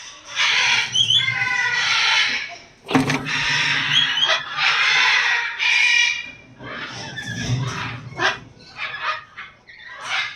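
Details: Eclectus parrot that has laid eggs, giving harsh, raucous screeches in long drawn-out bursts, then shorter broken squawks, with low rumbling background noise and a sharp thump near the middle.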